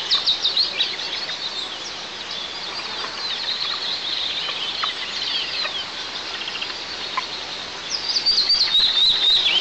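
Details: An eagle at its nest, 20 m up a pine in south-east Tatarstan, on 1 July 2024, when the father brought a live ground squirrel, gives high, thin, rapidly repeated chirping calls with downward-slurred notes.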